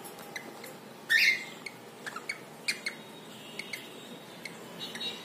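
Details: Pet cockatiel making sound as he bathes in water: a single brief, scratchy squawk rises above irregular dripping and splashing taps and a constant hiss.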